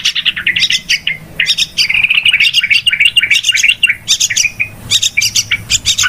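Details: Noisy trapping-lure calls of yellow-vented bulbul: a busy, excited chatter of quick, scratchy notes, roughly three per second, mixed with short rolling warbles and bright whistled slurs.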